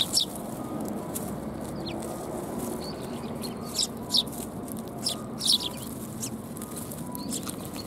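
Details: Group of sparrows coming to get fed at a Tenmangu shrine on 4 January 2021; scattered sharp, high chirps throughout, several louder ones near four and five and a half seconds, steady low background noise.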